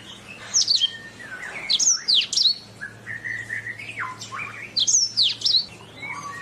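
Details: Canary song from a training recording for songbirds: bursts of high sharp down-slurred notes alternating with lower steady whistles, separated by short gaps, with a faint low hum behind.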